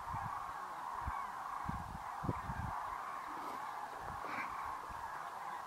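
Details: Common Cranes, over 40,000 birds, lifting off at dusk toward roosting sites on the Kutch grasslands in January 2013; a steady roar of many trumpeting voices, with a few low knocks and a louder call near the end.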